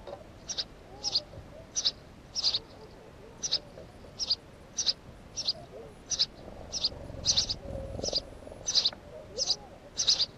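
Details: A house sparrow repeats sharp, high chirps roughly every two-thirds of a second, about fifteen in a row, steady and insistent, with soft low background rumble.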